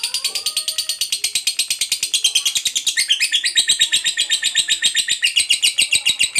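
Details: Fighter-type lovebird singing a long ngekek used as a lure for other lovebirds: dense, shrill, rapidly pulsed chattering that runs nonstop, shifting slightly in pitch midway.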